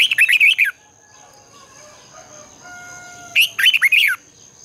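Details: Stimulating morning singing of a red-whiskered bulbul for bird training: dense bursts of fast, scratchy warbled notes, two phrases separated by quiet with faint soft tones.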